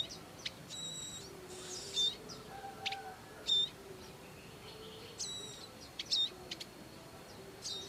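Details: A pair of Bar-winged prinias rearing young in the wild: crisp high chips mixed with short buzzy, rasping bursts and a few clear whistled notes, spaced unevenly.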